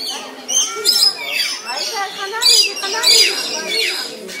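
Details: Lory parrots perched and calling: harsh, harmonic squawks and screeches with rising and falling inflections, several loud shrill bursts in quick succession over a background of softer chatter.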